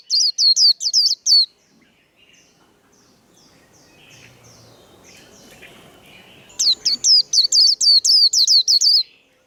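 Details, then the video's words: White-eye singing in contest style: two bursts of rapid, high, sharply inflected whistled notes, about seven each, separated by a long quieter stretch of faint background chatter and ambient noise. "Vành khuyên líu đấu"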